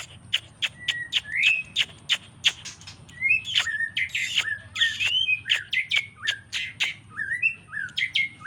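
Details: White-rumped shama, a fighter-type bird, singing varied phrases: sharp clicks mixed with whistled notes and short slurred trills around the mid-high range, delivered in quick bursts with brief gaps; a faint constant high tone runs underneath.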